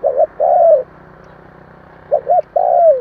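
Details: Decoy spotted dove cooing to stimulate fresh-caught birds: a double note slurs into a long falling coo, repeated after a pause over a steady low hum.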